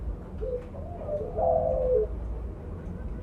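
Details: Spotted dove of the mottled blorok colour form, loudly calling and used as a lure to draw others: a low, soft coo phrase with a drawn-out middle note, over steady background hum.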